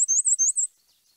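Black-and-white Warbler song: high, thin, squeaky two-note phrases repeated about five times in quick succession, like a squeaky wheelbarrow wheel.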